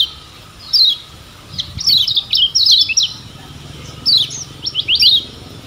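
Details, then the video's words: Lemon-bellied white-eye, kecial kuning of Lombok, singing tutor phrases: two short bursts of high, rapid, downslurred chirps separated by a quiet pause, over low background noise. "Ciak Joss Kecial Kuning Ini Ampuh Jadi Masteran Bikin Cepat GACOR‼️"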